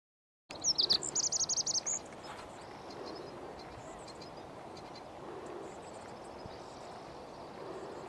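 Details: Male Lazuli bunting singing on a spring morning, May 13, 2020: a quick run of high, sharp paired notes lasting about a second and a half, followed by quiet with steady outdoor background hiss.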